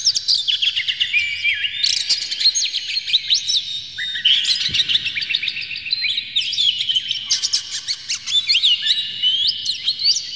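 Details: Oriental magpie-robin singing to spur rival magpie-robins to sing, an agitated tail-spreading performance: loud, fast medley of clear whistles, sliding notes and scratchy chatter in three long outbursts, each crowded with varied high notes.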